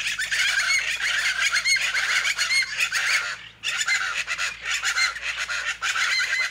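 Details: Dense, loud chorus of plain chachalacas, harsh clucking and squawking notes packed together, with a brief dip in the racket midway before it resumes.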